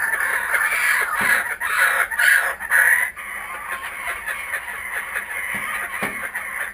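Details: Kookaburras that have come back to a home, caught on GoPro Hero 3D and Fujifilm W3 cameras, laugh loudly in rhythmic cackling bursts for three seconds, then the chorus softens into quieter chatter.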